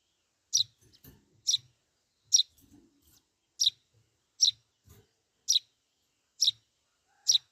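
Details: Begging Eurasian tree sparrow chick asking to be fed: eight piercing high chirps at roughly one-second intervals, with soft low clicks and rustles between them.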